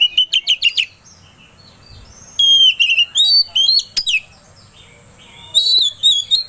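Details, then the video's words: Oriental magpie-robin song meant to provoke another bird into singing: a fast stuttering burst of notes, a loud varied whistled phrase, silence, then a final short burst. "Suara Pancingan Kacer Agar Cepat Emosi Gacor ! Pancingan Paling Ampuh Buat Menaikan Emosi Kacer"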